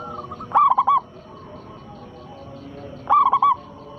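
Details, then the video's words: Zebra dove of a local strain, used as a lure to make rival doves respond: two loud, fast, stuttering coo phrases about two and a half seconds apart over a low murmur. "perkutut lokal gacor suara besar pancingan sekali putar pasti langsung nyaut"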